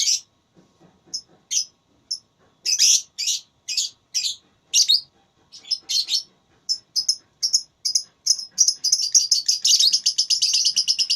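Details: Lovebird in a singing contest, starting with scattered shrill chirps, growing into loud harsh chatter and ending in a fast unbroken stream of piercing notes.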